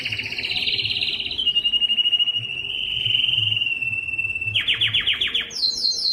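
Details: Singing yellow canary with a long sustained trilled tour gently falling in pitch, followed by a burst of rapid downward-sweeping notes and a high buzzy roll, faint low hum underneath.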